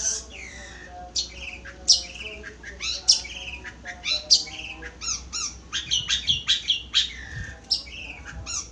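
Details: Long-tailed shrike of the nogosari type singing a rapid, varied medley of sharp high chirps, short rising and falling whistles and buzzy notes in irregular bursts, with faint steady low tones underneath.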